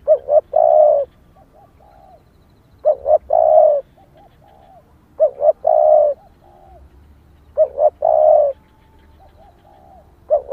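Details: Female spotted dove calling to rouse males: phrases of two short notes and a long rolling coo repeated about every two and a half seconds, soft faint coos trailing after each.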